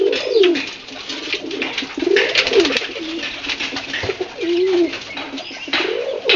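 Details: Pigeon giving a run of low, rolling coos, each a bowed rise-and-fall lasting under a second, about four across the stretch, with soft shuffling and a brief click behind.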